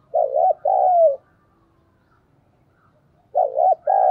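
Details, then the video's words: ['Spotted dove kept as a decoy to provoke wild doves into cooing: two loud, low, wavering two-part coos, the second note drawn out and falling, then a silent pause and another matching pair.'] "Chim Cu Mồi/ cu gay kich boi nhanh noi gù"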